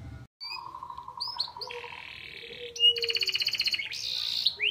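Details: Canary song built on white-eye (pleci) material, beginning with sustained pure whistles at a lower pitch, shifting to a higher buzzy note, then ending in a loud rapid rattle of repeated chips.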